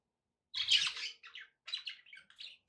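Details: A pet budgerigar gives a harsh, loud squawk followed by several shorter scratchy chirps and warbled notes in quick succession.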